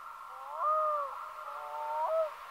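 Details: Black-throated loon giving two drawn-out, mournful wailing notes, each rising and then holding level with clear overtones, in an otherwise quiet setting.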